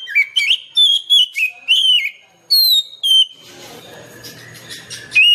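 An Oriental magpie-robin sings loud, clear whistled phrases, rising and falling, with a quick burst of notes, then a stretch of low hum and hiss.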